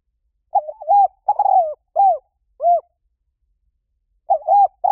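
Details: Lure recording of a spotted dove: a four-note cooing phrase of wavering, falling and arched notes, a pause of about one and a half seconds, then the phrase starts again.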